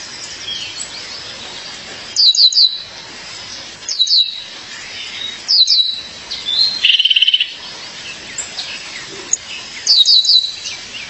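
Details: Female violaceous euphonia calling her mate: loud bursts of two to four high, sharp descending chirps every two seconds or so, with a brief buzzy rattle between them and softer twittering in the background.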